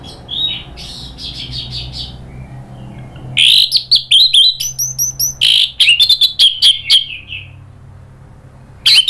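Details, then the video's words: Orange-headed thrush sings excitedly for a lure: soft whistles, then a long fast run of harsh clipped notes mixed with bright slurred whistles, ending in silence and one last note. "bikin ANIS MERAH EMOSI NRATAK lanjut NGEPLONG ¦ PANCINGAN AM"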